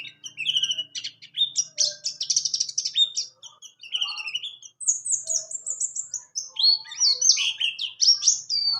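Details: A buxtoni white-eye delivers its rolling tutor song: scratchy rattling twitters first, then a run of thin descending whistles and bouncing high slurs, with brief pauses between phrases.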